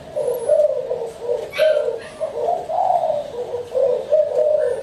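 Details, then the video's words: Spotted dove cooing in close, warbling low phrases, the notes bending slightly upward mid-sequence, with a brief higher squeak near the start. "Spotted Dove Cooing"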